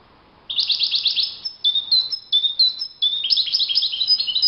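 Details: European goldfinch in open nature sings a continuous run of high, rapid twitters, mixing fast trilled notes with clear whistled slurs and jangling, tinkling phrases.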